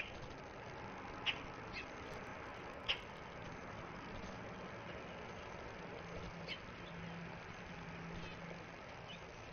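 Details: Northern cardinal family, adults with young after a successful nesting season, visiting a bird bath in the morning or evening: a few short, sharp, high chips, about four scattered over several seconds, over a steady soft background hiss.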